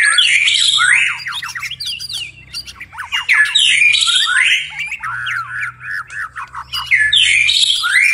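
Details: Night-time song of a white-rumped shama in lively form: repeated clusters of quick downslurred whistles and harsh squawky notes, phrases rising and falling, with brief gaps every second or two.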